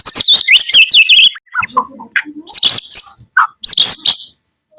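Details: White-rumped shama, Medan type, in morning song: a dense burst of high twittering, then scattered lower notes and gaps, then loud, sharp, high phrases.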